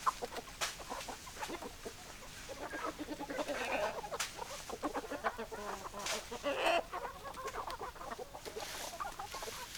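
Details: Chickens, hens and roosters, clucking in a group; repeated short clucks mixed with longer squawks and a few sharp clicks or knocks over background hiss.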